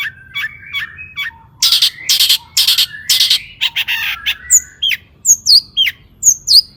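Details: Long-tailed shrike (cendet) singing to stimulate shrikes: mid-pitched whistled phrases, then loud harsh rasping bursts, ending with a series of high sharp downslurred whistles.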